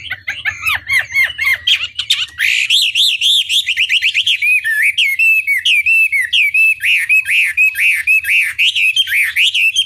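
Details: Chinese hwamei song used to provoke other hwameis into answering. Loud, rich whistled phrases of rising and falling slurred notes repeat about twice a second, with some buzzy trills at the start.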